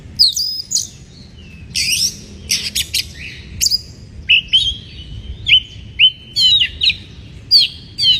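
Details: White-rumped shama in breeding condition singing to provoke rival birds: loud, varied phrases of sharp high chips, rich whistles and buzzy notes, delivered in short bursts with brief pauses, several sliding whistled notes toward the end.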